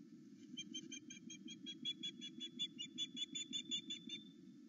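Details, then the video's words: Osprey on its nest at Loch Arkaig, filmed by a live camera between eight and nine in the morning, thrilled that its mate is back: about twenty sharp, whistled chirps in quick succession, strengthening toward the end, with constant low background hum. "Louis is so excited to have Aila back"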